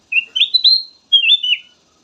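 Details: Melodious black-naped oriole song meant to spur other birds to sing: a rising series of fluty, whistled notes, a short pause, then a second wavering phrase that dips at the close.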